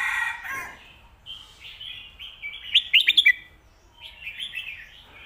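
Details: Red-whiskered bulbul singing the 'stir-fried noodles' and 'bottle shaking' song styles used to train pet birds: soft warbles build into a rapid run of five bright chirps, followed by more gentle warbling.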